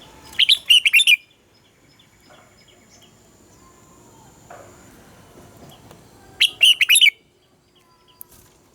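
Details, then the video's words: Red-whiskered bulbul morning song in Vietnam: two short bursts of rich, warbling whistled notes several seconds apart, over a soft hiss of background noise. "Luyện giọng cho chào mào hót sáng - ép chào mào hót âm kép già rừng hay tuyệt!"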